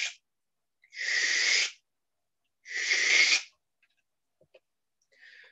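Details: Barn owl, a year-round resident backyard bird of North Texas, gives loud, harsh, hissing shrieks, each nearly a second long and about two seconds apart, with a fainter rasp trailing at the end.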